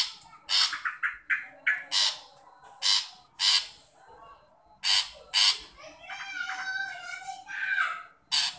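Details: Long-tailed shrike calling to a shy shrike: irregular harsh rasping notes and clipped chirps, then a stretch of softer, varied warbling before one last loud rasp.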